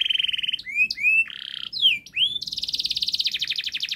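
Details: Fast, tight canary song used as a lure for juvenile canaries: a low buzzy trill, a few arched whistles and a harsh buzz, then a sustained rapid high trill.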